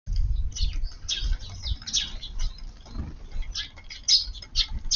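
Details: Eurasian tree sparrows visiting a garden around midday on a warm 23 March to feed: short, high, scattered chirps through five seconds over low rumbling and pattering noise.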